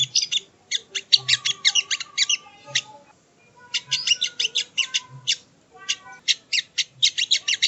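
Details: ['Sogon song used as training audio: energetic phrases of rapid, high, scratchy chattering, broken by a short silence midway, then resuming in quick bursts.']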